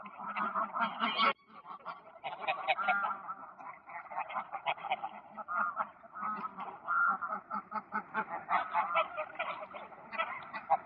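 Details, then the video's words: Greylag geese on the ponds of Poleski Park, Poland, in early autumn 2024, giving a restless run of repeated nasal honks and cackles from several birds, rising and falling in loudness. "Gęsi gęgawy na stawach Parku Poleskiego"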